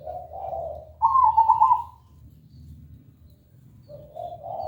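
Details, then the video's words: Zebra dove (perkutut) song used as a lure, described as clear and melodious: a low double coo, then one bright trilled phrase, a quiet pause and soft coos returning at the end. "Pancingan suara perkutut gacor"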